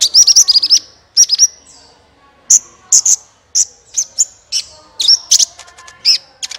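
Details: Sunbird singing vigorously as a lure for other birds: opens with a rapid run of high twittering notes, then spaced piercing chirps and short trills, all very high-pitched, against a quiet background.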